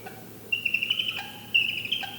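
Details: Distraction display of a barred owl: two high, wavering, squealing notes, each about half a second to a second long with pulsing texture, separated by a short pause, in a quiet setting.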